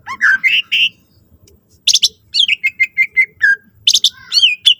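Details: Lively greater green leafbird song meant to spur other leafbirds to sing: rising whistled phrases, harsh buzzy bursts, a run of even clear whistles repeated about four times a second, then twisting high notes.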